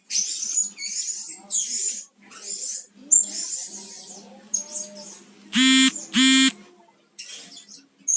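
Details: Blue-crowned hanging parrot calls from a lure recording for attracting birds: rapid high squeaky chirps in clusters, interrupted by two loud harsh, nasal blasts near the end.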